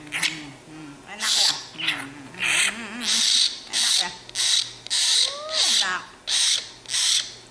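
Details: Young tame common hill myna begging for bread repeats rough, breathy rasps in a quick series, mixed with low voiced murmurs and a couple of upward-sliding whistles, over a steady low hum.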